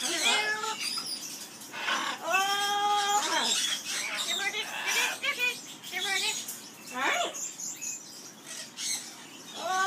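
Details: Captive Amazon parrot in an aviary singing its skimmeradinkadinkadink song: clear harmonic whistled notes, some rising and some falling, broken by short harsh chatter and squawky bursts.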